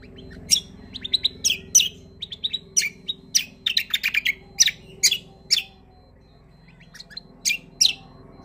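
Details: Greater green leafbird singing vigorously in a long rolling style: rapid, dense sequences of sharp high chips and twitters, a brief pause, then more loud chips over a low hum.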